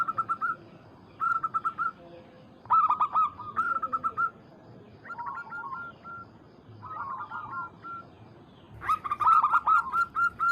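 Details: Local zebra dove calling a rival, delivering repeated bursts of three to six quick, clipped cooing notes every second or two, ending in a louder, faster run.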